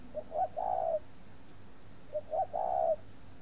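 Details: Captive spotted dove at a bird-breeding farm in Ba Vì, Hanoi, Vietnam. It gives two clear low coo phrases about two seconds apart, each with two short notes leading into a long, steady note.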